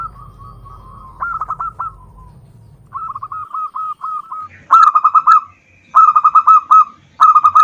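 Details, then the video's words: Local zebra dove, recorded as a lure to set other birds singing, gives five quick rolling coo phrases, getting louder toward the end, with a faint low rumble at the start. "pancingan perkutut lokal"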